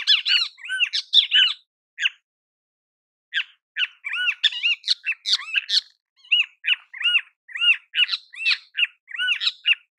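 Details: Great kiskadee calling in natural habitat: a rapid, busy series of loud arched, slurred notes, some overlapping in excited chattering bursts, with a short pause early on before the calls resume steadily.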